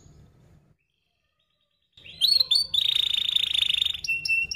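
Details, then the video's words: Canary lure song for training young canaries: after a near-silent start, bursts of high downslurred notes lead into a dense rapid trill, ending in a short steady whistle. "Kenari Gacor Paud SPEED RAPAT Cuit cuit Ngerol, Pancingan Kenari PAUD BELAJAR BUNYI"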